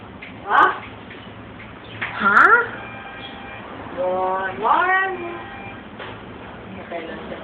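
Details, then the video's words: A pet mynah mimics human speech, saying "good morning" and "happy birthday", in four short voice-like bursts of rising, sliding and warbling tones, spaced a second or two apart, indoors and quiet. "Mynah talking"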